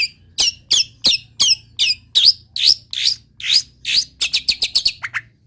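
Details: Long-tailed shrike song full of wild-bird mimicry: a steady run of sharp, bright notes about every third of a second, shifting midway to fuller rising-falling whistles, then a quick stuttering trill and a final dropping note.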